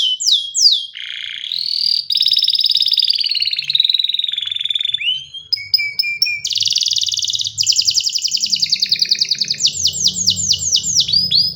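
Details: Varied canary song: sweeping whistles, an extended warbling trill, then rapid series of repeated chirped notes over a faint low rumble.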